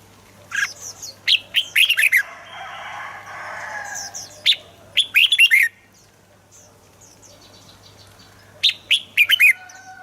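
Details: Three lively warbled phrases from a red-whiskered bulbul, meant to stir other birds into singing. Each is a burst of bright, tumbling, slurred notes, separated by pauses with a soft rushing noise and a steady low hum.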